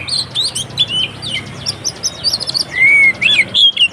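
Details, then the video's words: Fighting song of a white-rumped shama, used to provoke other shamas: fast run of varied high chirps and trills followed by long clear downslurred whistles, with steady low hum beneath. "SUARA BURUNG Kacer konslet TARUNG untuk PANCINGAN KACER agar ikut KONSLET"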